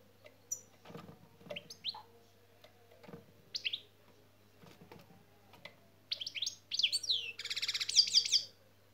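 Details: European goldfinch taught the 'şak şak' song element: scattered high twittering notes and sharp clicks, ending in a dense, fast run of high, buzzy, repeated notes, with a steady low hum behind.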